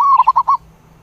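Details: Zebra dove calling the flock: a short burst of four or five rapid cooing notes near one pitch, fading into quiet background.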